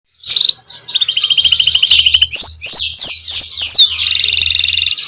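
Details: Canary singing: a high buzzy run followed by a series of sharp descending whistled notes, ending in a sustained dense buzz, with faint low background hum.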